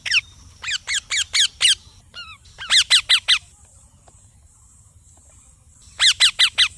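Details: Parrot chirping in quick volleys of five or so loud, sharp, falling notes, with a brief soft double call and a long quiet gap before a final burst.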